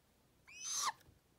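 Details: A young captive female Great Grey Owl, growing up in a falconer's care, calls while he talks to her: one short harmonic screech of about half a second that rises and then drops sharply at the end.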